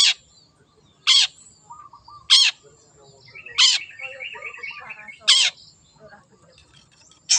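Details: Long-tailed shrike from the wild calling in harsh, grating bursts about once a second, separated by quieter twittering and a fast chattering passage.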